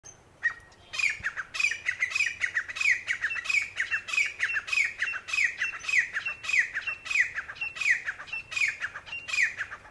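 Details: Grey francolin giving a loud, harsh, squawking call series: ringing notes repeated roughly one and a half times per second for about nine seconds, each rising then falling, at fairly steady loudness.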